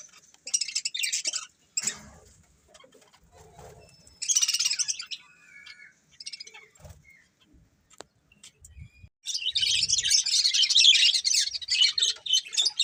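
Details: Budgerigars, a colourful breeding pair, chirping: short scratchy bursts and a few thin whistled notes separated by quiet gaps, ending in a long loud stretch of dense warbling chatter.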